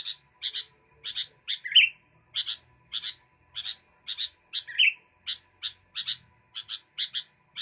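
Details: Energetic sooty-headed bulbul song: rapid clear double chips in steady succession, twice interrupted by a louder upslurred whistle, with a quiet electrical hum behind.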